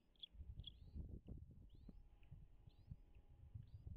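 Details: A bald eagle at its nest on Dale Hollow Lake, on the Kentucky–Tennessee line, on 3 May 2022 at 10:58 gives thin, high, upslurred chirps, about one every half second to second, over steady low wind rumble.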